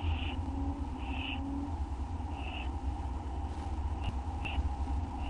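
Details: Owls at night during feeding, watched on a live camera in August 2011; scattered short hoarse screeches, several softer and clipped, over continuous low humming noise.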